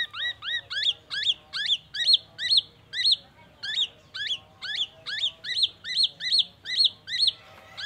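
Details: Mimicry song of a black-naped oriole, copying oriental magpie-robin and an ambulance siren, heard as a steady run of bright, sharply upswept whistled notes, roughly two per second, loud and evenly paced throughout.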